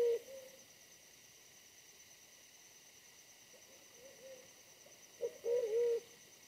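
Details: A wild pigeon, smaller than the decoy but very aggressive, during pigeon trapping. It gives low, hollow coos: a brief one at the start, a faint note midway, then a louder wavering coo near the end, over a steady high insect hum.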